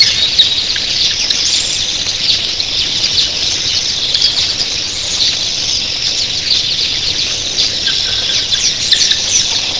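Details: Red-billed queleas, literally thousands, chatter in a steady high hissing chorus at early morning, the wing noise of the flock a soft background roar like breaking surf.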